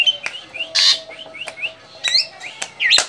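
Javan drongo giving a varied run of short whistled notes, sharp clicks and a harsh buzzy burst, loosely spaced over three seconds.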